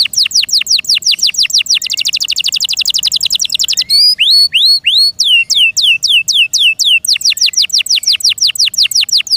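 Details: Pet canary singing loudly: quick falling whistled notes, a dense fast high trill, then slower rising and falling whistles, returning to rapid repeated descending sweeps.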